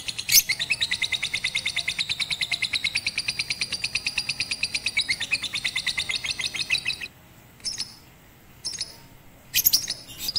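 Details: Lovebird of the Batman type on a roof, trained with a master recording, first session 18 April 2021 during Ramadan; a fast, even run of high chattering chirps for about seven seconds, then a few scattered short chirps.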